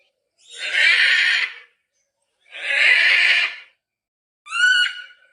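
A macaw gives two long, harsh, raspy squawks about two seconds apart, then a shorter, clearer nasal call. Nothing else is heard.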